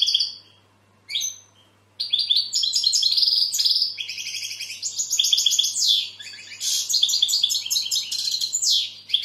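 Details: Song of a European goldfinch: two short high chirps separated by pauses, then a long, continuous run of rapid tinkling twitters and buzzy rolls, with a steady low electrical hum in the background.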